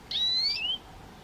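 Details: Eurasian nuthatch, Sitta europaea: one clear, drawn-out whistled note that slides down in pitch toward its end.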